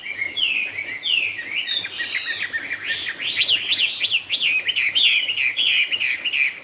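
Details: Chinese hwamei delivering 'cao cầu' style song: a rich, fast stream of high whistled notes, rising and falling slurs repeated rapidly, growing louder and denser toward the end, with a faint low hum underneath.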